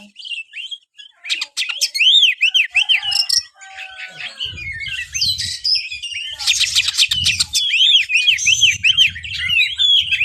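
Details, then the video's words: Oriental magpie-robin, a kept songbird, giving loud, varied song of arched whistled notes repeated in quick runs, with harsh chattering bursts mixed in and a low rumbling background. "buat burung Kacer anda yang malas bunyi"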